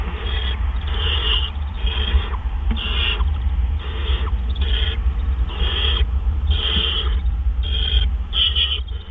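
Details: Nighttime food delivery by an owl, April 12, 2013, 4:03 AM. A long series of harsh, breathy rasping hisses, about one per second, some louder and some fainter, over a constant low drone.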